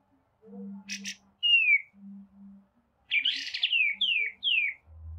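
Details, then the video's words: Masteran recording of white-rumped shama song: a short buzzy double note and a clear falling whistle, then a harsh scratchy burst followed by three loud descending whistles, with faint low hum beneath. "MASTERAN MURAI BATU PALING VIRAL"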